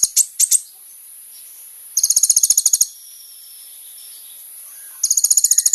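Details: Sunbird song used as a lure to draw out other sunbirds: a few sharp high notes, then long, very high, buzzy rattling trills of about a second, repeated after a pause.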